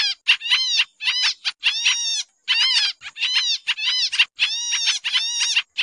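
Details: Noisy pied triller lure sound for bird trapping: rapid harsh, buzzy chatter bursts with falling harmonic notes, delivered in uneven quick runs with brief gaps; clean background.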